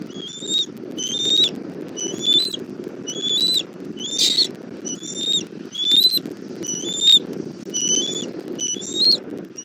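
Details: At a Southwest Florida bald eagle nest, 17:30 on 1 April 2024, the mother delivers food to her chick: short high whistled chitters, slightly upslurred, come roughly once a second over steady low rumble.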